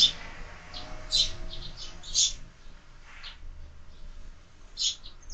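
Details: Sparrows at a window-mounted feeder in the morning give scattered high chirps, a few sharp notes spaced irregularly with quiet gaps between them, over faint low background rumble.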